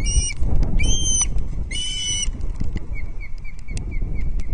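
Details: Osprey chick at Loch Arkaig, 19 August 2022, being fed its second fish of the day; three drawn-out piping whistles in the first half, then soft short peeps repeating, over steady low wind rumble.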